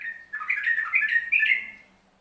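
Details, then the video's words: Central Javan yellow-vented bulbul in ropelan song: three rapid bursts of rich, gurgling whistles over about two seconds, each burst tumbling and rolling before fading out, with a steady faint hum behind. "Trucuk Jawa Tengah Ropelan"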